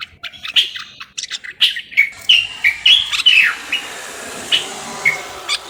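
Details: Common bulbul in Morocco giving thin whistled notes and short slurred phrases, fairly spaced and softer than full song, with faint background noise.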